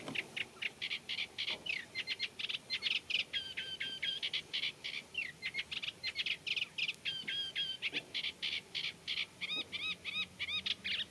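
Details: A reed-bed song from a Eurasian reed warbler, said to include mimicry such as Common Redshank: a long, jerky stream of scratchy clicks and churrs, with repeated phrases and occasional upslurred whistled notes.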